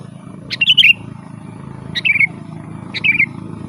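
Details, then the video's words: Sooty-headed bulbul singing its rolling song, used as a lure for wild birds: three cheerful warbled phrases about a second and a quarter apart, each a quick high flick dropping into a bubbling slur, with a low hum behind. "Suara burung kutilang gacor Garuda full gacor dan ngeroll"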